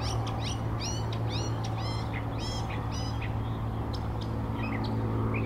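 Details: Northern mockingbird singing at Old South Cemetery on 17 April 2024: quick, harsh, buzzy phrases, each repeated several times before switching, over a steady low hum of traffic.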